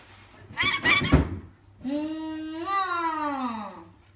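A rainbow lorikeet talks in a voice-like way: a few harsh, scratchy syllables, then a long, drawn-out vowel that rises and falls, in a small indoor room.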